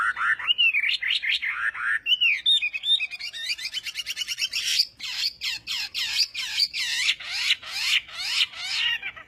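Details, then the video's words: Chinese hwamei in morning voice training for singing contests, delivering looping whistled slurs that shift into a fast rattling trill and then sharp, repeated descending notes. "Hoạ Mi Hót Đấu /hoạ mi hót sáng luyện giọng"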